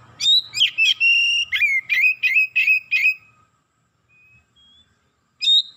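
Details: Kacer (Oriental magpie-robin) quickly turning excited and delivering its isian: a rapid string of about ten loud clear whistles with chirpy overtones, roughly three per second, then near silence and a final whistle.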